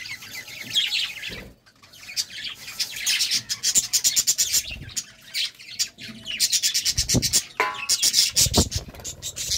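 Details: Budgerigars at love time: continuous gritty warbling with dense rapid clicks and buzzy trills, a few squawky notes, and occasional low bumps.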